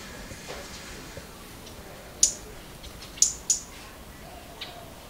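A scarlet-backed flowerpecker gives three sharp, very high 'tsit' notes, spaced about a second apart, with a few fainter ticks over quiet background hiss.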